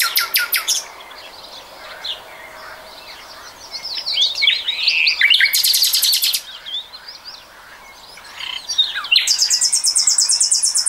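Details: Nightingale singing in 2020, with rapid buzzy rattling trills at the start, middle and end separated by varied whistled phrases and short pauses.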